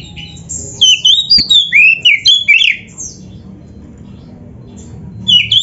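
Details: Oriental magpie-robin (kacer) in full, varied song on a masteran recording for training caged birds: a rapid string of loud, rising and falling whistled phrases, a pause, then a fresh phrase begins over a low murmur.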